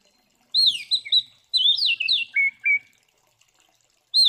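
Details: Oriental magpie-robin in fighting song meant to rile rival magpie-robins, giving a loud phrase of sweeping whistles falling into two lower clipped notes, then a fresh phrase starting at the end.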